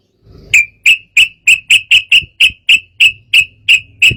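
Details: Sooty-headed bulbul, agitated singing that provokes rivals: a steady series of about twelve sharp, clear chip notes repeated every third of a second over a faint low hum.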